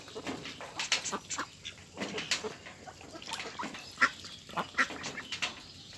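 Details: Flock of farmed ducks on a rice field, raised for meat, calling with short harsh quacks in quick irregular runs, overlapping voices and a faint constant hiss.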